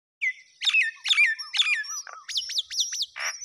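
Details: Myna chicks at feeding time give loud, harsh squawks mixed with sharp, rising chirps in quick bursts, several per second, with a grating buzzy note near the end.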